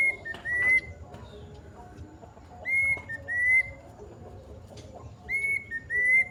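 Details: Plaintive cuckoo giving its long call: clear high whistled notes, each rising slightly and then holding level, come in short pairs and trios spaced a second or two apart, with chirps of other birds and a low hum behind.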